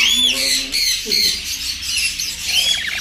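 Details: Black-capped lories, a captive close-ringed adult bonding pair: harsh raspy squawks and screeches with a few clearer whistled notes, overlapping in a noisy chatter.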